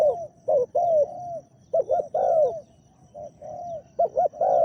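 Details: Decoy spotted dove noted for its big voice, used to attract a wild dove, gives overlapping low coos, some drawn out and falling, others quick doubled hoots, in an uneven sequence.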